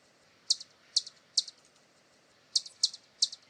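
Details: Bright, very high hummingbird chips, each doubled with a softer trailing tick, in two short bursts of three separated by a one-second gap in a quiet setting.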